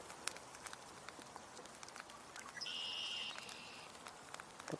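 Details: A singing red-winged blackbird on 2 March 2024, with tundra swans vocalizing nearby, gives a couple of short sharp notes, then a steady, buzzy, high trill under a second long, over a crackly background.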